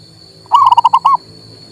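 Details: One short phrase from a male local zebra dove, meant to spur a non-singing bird: about six clipped, rolling coo notes in quick succession, ending on a slightly longer note, over a steady high hum.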